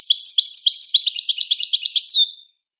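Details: High, busy twittering from a Moroccan goldfinch: jingling notes running into a tight trill, with a final clear, sweeping, downward whistle before the clip falls silent.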